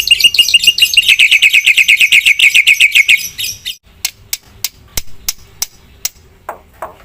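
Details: Black-winged myna in vigorous song: a fast, dense volley of high chirps for about three seconds, followed by sharp, scattered clicking sounds.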